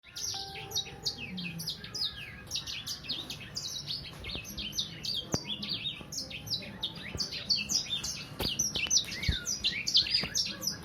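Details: Young Sangihe hanging parrot about three months old singing nonstop: a dense stream of rapid, high, sharp chirps and twitters, overlapping with no pauses, and a few faint lower notes beneath.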